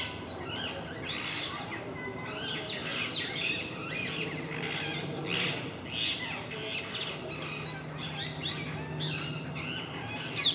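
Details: A regular group of parakeets at MK park makes a racket: dense overlapping harsh squawks and chatter keep going without a break, over a faint low hum.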